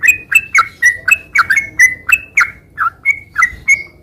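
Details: Sooty-headed bulbul in continuous song: clear, slurred, falling notes given roughly every third of a second, loud and distinct over a quiet background.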